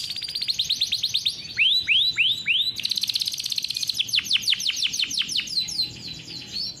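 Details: Caged farm-bred canary singing a speedy rolling song for young birds to learn from: high buzzy trill, four looping upsweeps, then a long burst of quick descending whistled notes repeated about three per second.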